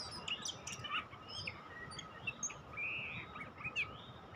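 An Oriental magpie-robin sings a varied run of short, clear whistles and slurred, rising chirps over a steady low hum.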